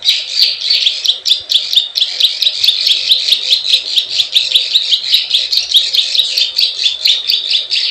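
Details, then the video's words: Prenjak sawah, the plain prinia, calling klik klik ciwah as a bird lure: harsh, buzzy high notes in quick, slightly uneven succession, with a steady series of sharp clicks running above them. "SUARA PIKAT PRENJAK SAWAH_KLIK KLIK_CIWAH"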